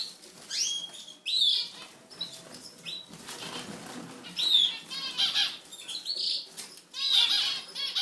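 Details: European goldfinch twittering in quick bursts of thin, high, buzzy and tinkling notes, some with rapid trills, separated by brief pauses, with fluttering and rustling noises and a faint steady hum behind.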